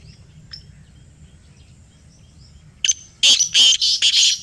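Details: Black francolin (kala teetar) calling in Pakistan after a call was played: after near silence, a loud grating series of a sharp note and four rapid rasping bursts, strong and close, over low background hum.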